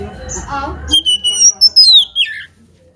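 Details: Provoking song of an oriental magpie-robin, played to make rival kacer birds sing: brief talking, then a loud sequence of clear whistles, a long descending slur and a final lower note.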